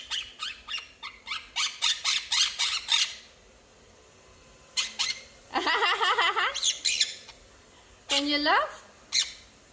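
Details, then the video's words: Home-kept quaker parrot chattering in quick laugh-like bursts for a few seconds, then a pause and two longer, wavering, tonal squawks with rich, voice-like quality, amid an owner's coaxing speech. "talking bird"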